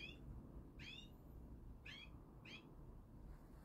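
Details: European goldfinch, a local native bird, uttering four crisp, slurred chirps with rich overtones, spaced unevenly across a few seconds, against a continuous low hum.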